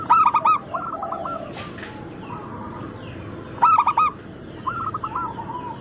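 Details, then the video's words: Cooing song of crossbred local and Bangkok zebra doves in full voice: two loud clusters of quick, stuttering coos separated by quieter distant coo phrases, with background hiss. "Perkutut lokal gacor - Pintar Mengundang Bunyi semua jenis burung kutut Lokal bangkok crossing"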